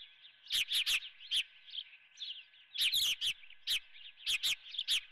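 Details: Osprey calling at the Dunrovin nest during a breakfast of live golden fish, a series of short piercing chirps in irregular pairs and groups, with a constant low hum.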